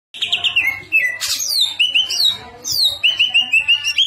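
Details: Greater green leafbird, a kept songbird in Indonesia, singing a rich varied song: loud whistled notes, a sharp burst, then a long run of quick repeated chirps roughly three per second, with a faint low hum underneath.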